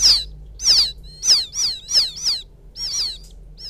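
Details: Young field quail calling for its mother: loud, shrill, falling peeps with rich overtones, roughly one every half second, slightly uneven, with a soft background hum.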